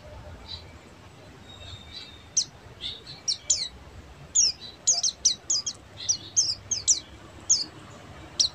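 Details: Buxtomi Oriental white-eye singing ngeriwik style, heard against steady background hiss as quick bursts of very high, thin chirps and downslurred ticks clustered in the second half.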